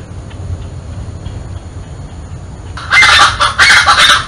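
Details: Scaled chachalaca in the Botanical Garden of Porto Alegre, Rio Grande do Sul, Brazil, January 2023. Near silence gives way to a sudden loud burst of harsh, grating, raucous calls filling the final second and a half.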